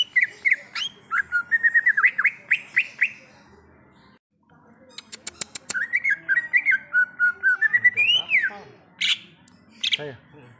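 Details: Greater green leafbird singing in the wild, pouring out long fast sequences of whistled, warbling notes that rise and fall, broken by a brief pause, with sharp clicks and scratchy notes mixed in.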